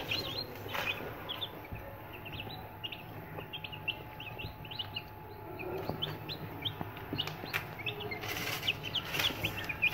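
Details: Newly hatched chicken chicks in an incubator give rapid high peeps, many short chirps overlapping in a steady stream over constant mechanical hum.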